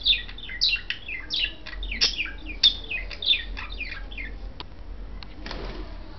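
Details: Budgerigars mating, a white male and a blue female kept as pets: fast run of high, slurred chirps roughly every half second, fading toward the end into a soft rustle.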